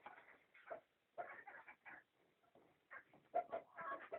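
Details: Country chickens giving clusters of throaty clucks and brief nasal calls in uneven bursts, separated by short quiet gaps.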